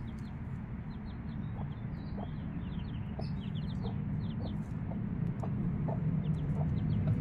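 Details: Chicks aged five days beside their mother hen give bursts of sharp, high sliding peeps, while short low clucks recur about every half second, with a loud low-pitched hum throughout.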